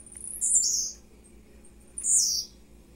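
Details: Young captive-bred blue-black grassquit singing at 10:50 in the morning: two high, buzzy, descending phrases about one and a half seconds apart, clear over a quiet background.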